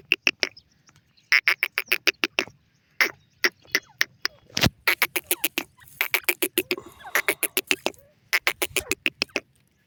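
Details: Excited male laraka teetar francolin chasing after a female, delivering dense rattling bursts of fast, harsh, clicking notes in repeated runs, with a soft low thud partway through.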